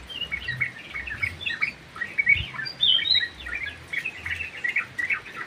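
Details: In an aviary, a sooty-headed bulbul sings eagerly: jumbled bright chirps and slurred whistles, with some higher notes near the middle and a few soft knocks below.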